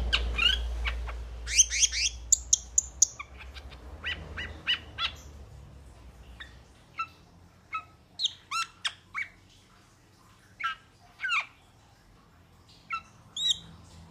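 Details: Metallic starling singing: a dense run of sharp, squeaky chirps and short whistled notes in the first five seconds, then spaced bursts of high metallic clicks and chips, with a low rumble underneath at the start.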